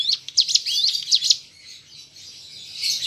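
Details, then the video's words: Hill prinia sings a quick burst of high, sharp chirping notes, five or six in about a second, then trails off into fainter, thin twittering. "Pancingan Ciblek Gunung (Cigun) Agar Bunyi"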